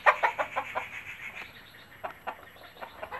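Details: Native country chicken hen calling her chicks to food with a particular clucking noise while scratching and picking up bits: a quick series of short clucks, about three a second, uneven in spacing, loudest at the start.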